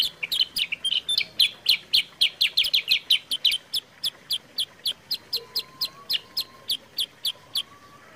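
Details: Sooty-headed bulbul recording meant to get caged birds singing and to serve as a master song: a long run of crisp, high chirps, fast and crowded at first, then slowing to an even beat about twice a second, with a faint thin whistle behind.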